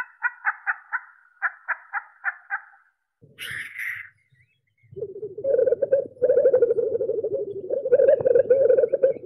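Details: Black grouse song: a run of short, evenly spaced pulsed notes, then a sharp hissing burst, then a long, low, continuous bubbling burble with a fainter higher overtone over the last four seconds.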